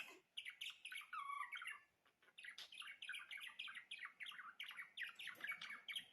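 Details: Budgerigar song: a long, continuous chattering warble of rapid chirps and a bending whistled note, with constant high ticking throughout.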